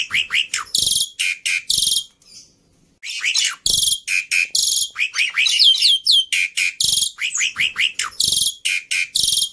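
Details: Javan pied starling tutor song for captive birds to copy: dense bursts of scratchy, buzzy chatter and sharp squawks, repeated roughly twice a second, broken by one brief pause.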